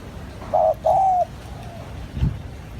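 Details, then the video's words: Spotted dove calling as a lure: a short low coo followed by a longer drawn-out coo that fades into a faint trailing note, then a soft thump, with low background rumble. "Tiếng chim cu gáy gọi hay"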